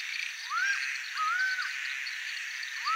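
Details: Acauã or laughing falcon from Brazil, a bird of bad omen in folklore, gives drawn-out, arching wailing notes, rising then leveling, with insects shrilling steadily behind.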